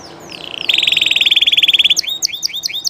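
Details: Spanish Llarguet canary singing live: two downward glides open into a long, loud, pulsing trill repeated about fifteen times a second. A run of hooked chirps closes the phrase.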